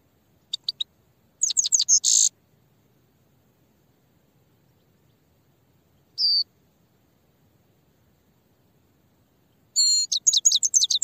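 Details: Grey-headed goldfinch song in bursts: a few clicks, a rapid harsh twittering run, a lone whistled note midway, then a final quick series of tinkling high notes.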